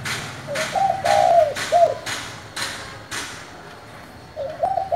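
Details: A 'giọng thổ'-voiced spotted dove cooing to spur newly caught doves: a low three-part phrase of soft intro, longer wavering middle and short end note, with evenly spaced knocks and another coo starting at the close.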